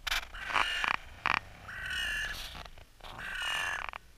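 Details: Several crows in Clara Park in spring, played in mild slow motion: drawn-out, harsh harmonic caws repeat about every second, with a long flat call in the middle, between scraping and rustling noises.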